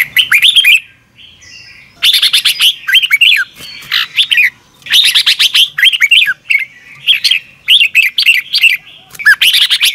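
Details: Red-whiskered bulbul giving morning training song in the double-twist voice: dense runs of rapid chirps and rolling, bubbly whistled notes, one short pause near the start, otherwise steady energetic singing.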